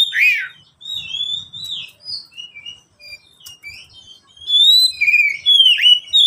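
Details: ['Kacer, the oriental magpie-robin, singing in captivity as a lure for silent birds: scattered chirps and short whistles, ending in loud swooping, slurred whistled phrases.']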